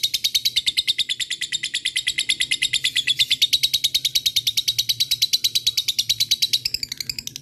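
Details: Lovebird calling to rival birds with long ngekek song, a rapid, unbroken train of high rattling chirps, about three per second, sustained for seven seconds.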